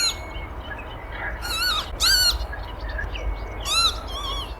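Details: Northern lapwings at Rainham Marshes give four loud, wheezy, wavering 'pee-wit' cries in quick bursts while dive-bombing a crow that landed near their nest, over a low background rumble.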